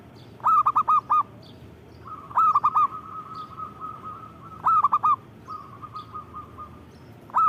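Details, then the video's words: Zebra dove (perkutut) singing energetically: loud phrases of four to five rolling coos alternate with long, soft runs of rapid quiet coo notes, repeating about every two seconds. "Suara Burung Perkutut Gacor"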